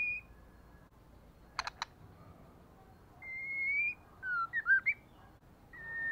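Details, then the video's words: White-rumped shama female calling to goad males into fighting: a pair of sharp clicks, a sustained rising whistle, then a rapid twisting burst of whistled notes and a final level whistle, with quiet background hiss. "CHOÈ LỬA MÁI.CHOÈ LỬA MÁI KÍCH TRỐNG/lửa mái mồi. murai betina fighter, murai jatan auto ngamuk."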